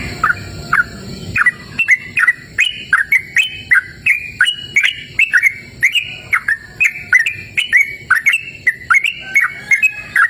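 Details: Yellow-vented bulbul singing vigorously outdoors in a cool, open natural setting: a long run of short, bubbly, warbled phrases repeated every half second or so, with steady faint high tonal hum in the background.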